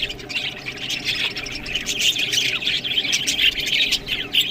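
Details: Budgerigars feeding on green food, giving busy overlapping chirps and warbled twitters in a constant bright chatter, with louder bursts around the middle and a short dip in activity just before the end.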